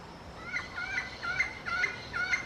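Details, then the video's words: Yellow-fronted parrot calling to its peers, delivering five loud grating squawks about every half second, each with a bright doubled tone and a sharp finish. "yellow-fronted parrot comes to communicate with its peers"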